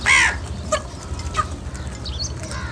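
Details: Crows gathered in huge numbers calling for food: one loud, harsh, harmonic caw that slides downward opens the clip, followed by fainter scattered caws from other birds in the flock.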